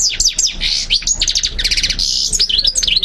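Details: European goldfinch singing, recorded to train and motivate other birds to learn the song. Rapid liquid twitters and sharp sliding notes lead into a dense buzzy trill in the middle, then more quick chirps.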